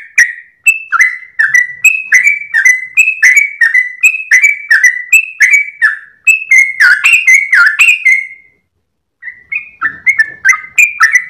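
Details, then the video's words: Long 'gacor ropel' song of a Sooty-headed bulbul at dawn, tail wagging, intended for training other birds: rapid runs of whistled high-low phrases, a brief pause near the end, then the chattering phrases resume. "GOYANG EKOR trucukan gacor ropel panjang saat subuh pagi hari"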